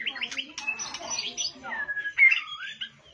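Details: White-rumped shama bowing low and quickly joining in with song: a dense run of varied whistles, chirps and trills, mostly high-pitched, with rapid note changes and a brighter whistled burst near the end.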